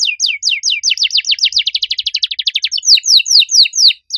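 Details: Clear, loud canary song with an unusual style: a long run of downward-sweeping whistles that quickens into a tight trill, then slows into wider, separate swooping notes.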